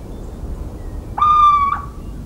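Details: Little owl giving one mellow, slightly rising hoot about half a second long over a faint low background hum; recorded in countryside of central France on 17 March 2019.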